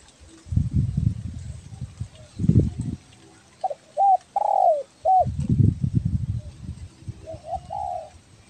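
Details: Spotted dove of the belah dada type from Kepri, Indonesia, calling actively for use as a lure; short low hooting coos in two bursts, interrupted by loud low rumbling knocks and handling noise before and between them.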